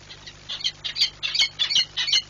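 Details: A female peregrine falcon at her Płock nest, 15 March 2022, screaming while bursting out of the nest. Loud, raspy, grating cries follow one another rapidly, about four per second, with a faint hum beneath.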